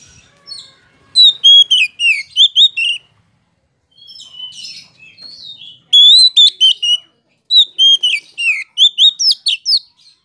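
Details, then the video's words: Kacer, the Oriental magpie-robin, singing as a provoking lure for other kacer: three bright phrases of quick whistles and sharp upward slurs, each separated by quieter scratchy chatter. "KACER POCI ANDA PASTI LANGSUNG EMOSI JIKA DENGAR SUARA KACER INI"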